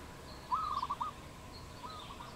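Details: One crisp phrase of rapid, stuttering pulsed coos from a wild dove in Cambodia, recorded 22 April 2020, followed by a faint softer echoing call and quiet background.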